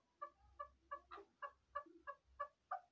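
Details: Hunting chukar partridge calling: a steady series of clucking chuk notes, about three per second, with a low rumbling background.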